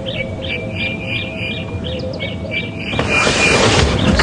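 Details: Starlings give quick, fluty, arched notes several times a second over a steady high whine on a morning safari drive at Djuma Game Reserve on 5 November 2015, then a rush of wind or engine noise takes over.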